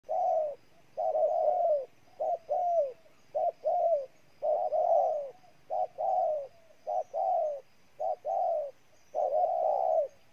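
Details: Spotted dove from Ninh Thuận, Vietnam, giving a repeated cooing call: paired notes, a short coo then a longer falling coo, repeated roughly once a second, clear and dominant over faint background hiss.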